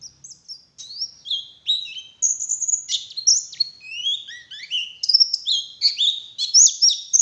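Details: Morning lure song of a white-eye, forest style: a varied, rapid jumble of high whistled chirps and quick down-slurred notes, jumping between pitches with short pauses between phrases.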